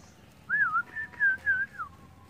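Oriental magpie-robin giving a short run of clear, sliding whistles, four linked phrases rising and falling in about a second and a half, over faint background hum.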